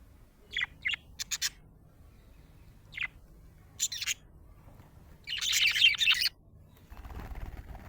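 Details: Budgie described as happy: several short high chirps, then a dense, scratchy chattering burst lasting about a second, followed by soft background noise.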